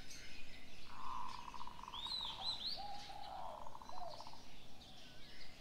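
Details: Morning birdsong outdoors: low cooing phrases around one second long, a rapid trilled coo, and higher chirps and short whistled notes above.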